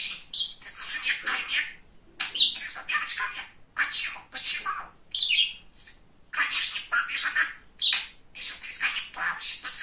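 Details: Chatty male budgerigar kept as a pet, talking at length: long stream of raspy mimicked-speech bursts mixed with quick chirps and a few short whistled notes, pausing now and then.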